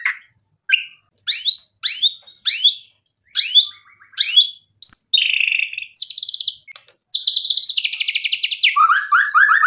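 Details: White-rumped shama singing in full voice to provoke a rival into answering: a rapid series of sharp rising whistled notes and chips, then buzzy rasping phrases and a fast rattling trill at the end.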